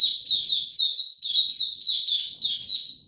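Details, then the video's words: Oriental white-eye kept in a cage, in ramped-up form, 3 January 2022, delivering a continuous run of sharp, high chirps repeated several times per second with no break. "Mata Puteh Dagger ramp up form buka tiong aw sing"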